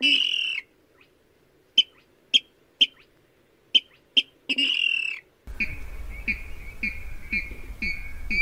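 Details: Rail call played as a lure for night net trapping, recorded 2020: a loud burst, then sharp single notes spaced irregularly with silences between, then a break into a noisier run of short clipped notes over low hum.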